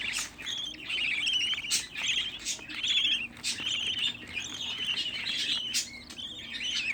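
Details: A group of sixteen budgerigar chicks raised indoors as a hobby, producing a continuous babble of raspy, grating calls with occasional sharper clicks and squeaks rising above the crowd.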